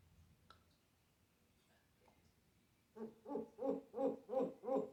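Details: A pet African grey parrot imitating sounds such as snoring, coughing, laughing and animals. After near silence, six low, hooting, pulsed bursts follow at a steady rhythm.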